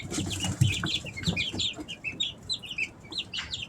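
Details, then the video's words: A group of Easter Egger chicks aged three weeks, kept at home, chirping steadily: overlapping high falling peeps several per second, with rustling and scratching underneath. "Sounds of baby chicks"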